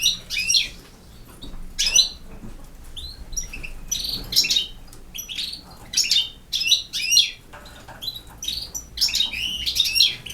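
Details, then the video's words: Campero European goldfinch in full song: fast, bright, jangling twitters and buzzy trills in repeated bursts every second or so, continuing throughout with only brief pauses. "El Jilguero BiH 25"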